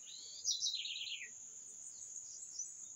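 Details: One short bird song phrase: a high chip followed by a fast, rattling trill that descends in steps, then quiet except for a persistent high-pitched whine.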